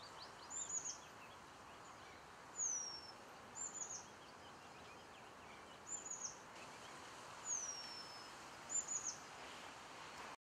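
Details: Eurasian penduline tit in the final stage of building its nest at Källtorps wetlands outside Falkenberg, 2013; thin, high, clear whistles sliding downward, about six separate calls spaced one to two seconds apart, over soft steady background hiss.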